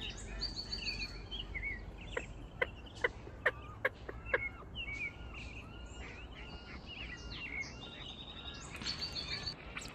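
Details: American coots in a wetland pleading for food: a steady stream of thin, high chirps and squeaky notes, with a few sharp clicks and soft wetland background noise.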